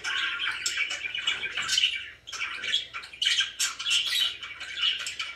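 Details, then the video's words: Pet budgies, described as very happy, alternate harsh squawky chirps with running twittery warbles in irregular bursts, a low hum faintly present. "VERY HAPPY BIRDS #chirpingbirds #budgie"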